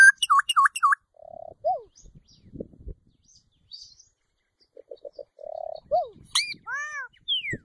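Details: Solitary cacique song: quick looping whistles, a low buzzy note with a rising slur, soft clicks, a short trill of low notes, another buzz, then a sharp high note and arched whistles.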